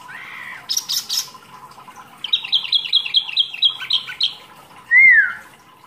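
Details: Caged mini wambi singing training material. A buzzy burst leads into a fast run of scratchy repeated notes, ending with a loud slurred downward whistle.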